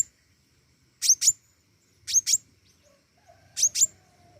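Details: Flowerpecker singing actively: three loud, very high twin notes, each a sharp clipped double chip, spaced roughly a second apart, with faint low rumble behind.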